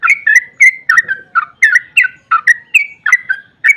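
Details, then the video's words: Sooty-headed bulbul (trucukan) in energetic, long rapid ropel song, used to provoke other bulbuls into singing: short bright whistled notes, each dropping or sliding between higher and lower tones, delivered in a quick, slightly uneven chain. "Trucukan GACOR ROPEL PANJANG EMOSI buat pancingan trucuk agar cepat bunyi JADIKAN burung NYAUT giras"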